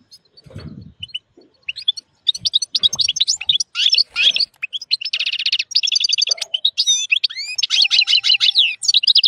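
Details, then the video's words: A wild European goldfinch male, excited while pairing with a white female canary, sings a strong, rapid song of tinkling twitters, buzzy trills and liquid notes, with a few low knocks and rustles early on. "الحسون الخلوي يتزاوج مع انثى الكناري بيضاء هيجان و تغريد قوي"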